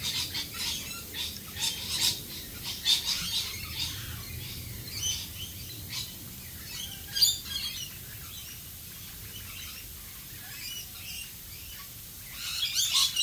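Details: Rainbow lorikeets in Australia give harsh, high, scratchy screeches and chatter in quick irregular bursts while calling in the rain, over a steady patter of falling rain.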